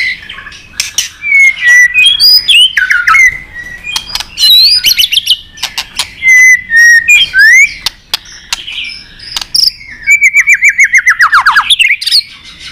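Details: A white-rumped shama in competition fighting song, pouring out varied whistles, chips and buzzy trills, ending with a rapid repeated series and a long descending rattle-like run of notes.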